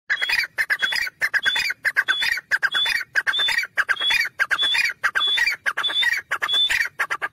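A partridge gives loud, harsh, grating squawks in rapid repeated bursts, each with a thin whistled note on top, roughly one or two calls per second.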